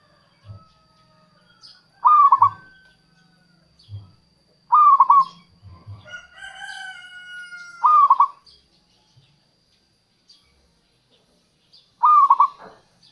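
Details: Local zebra dove song played as a lure for wild zebra doves and to stir reluctant captive singers. Four short bursts of quick staccato coos, spaced two to four seconds apart, plus a brief drawn-out tone between bursts.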